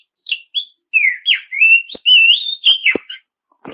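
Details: Lure song of an Oriental magpie-robin, meant to goad rival birds into answering: a continuous run of bright, sweeping whistles climbing and falling, plus a couple of sharp knocks near the end.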